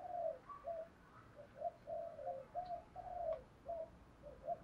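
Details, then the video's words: Distant spotted dove in thổ voice, cooing to train decoys and rouse wild birds. A run of soft, repeated low coos over a steady background hiss and rumble. "Chim cu đất giọng thổ đủ bài- thúc gù bài bản- gáy gọi mới nhất"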